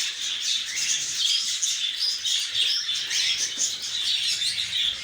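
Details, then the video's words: Shrill chattering of lovebirds: rapid, overlapping high-pitched chirps and short squeaks form a continuous busy wash of calls from start to end. "طيور الحب"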